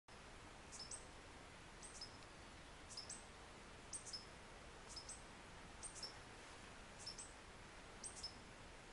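Mexican violetear giving thin, high chip notes, each a sharp tick and a short dropping slur, repeated about once a second over steady background hiss.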